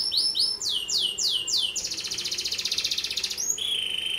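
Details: Canary; song; master song to train or trigger other canaries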